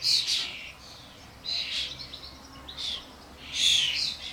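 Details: Common starlings (Sturnus vulgaris), adults with their fledglings at a garden bird feeder with suet blocks, amid a commotion of many birds; a few harsh, hissy high bursts separated by quieter gaps.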